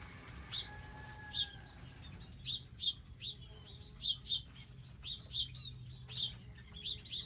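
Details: Wild birds at a garden feeding station with seed and water; a faint drawn-out tone at first, then sharp high chirps in irregular pairs about every half second, with low background hum.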